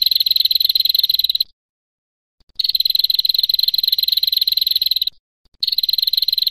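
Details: A female rufous-fronted (red-headed) prinia used as a song tutor gives long, high, dry trills of rapid ticks, each burst lasting one to two and a half seconds with short gaps between.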